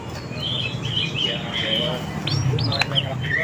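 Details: Oriental magpie-robin song played to attract wild birds: drawn-out whistled notes held steady, then a run of short rising chirps and a sharp click, over steady low-pitched background noise.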